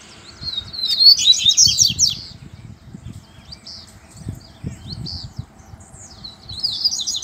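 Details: Outdoors, a double-collared seedeater sings in a contest with a loose male: a loud burst of rapid, buzzy, high notes, then fainter phrases, with low rustling and background noise beneath.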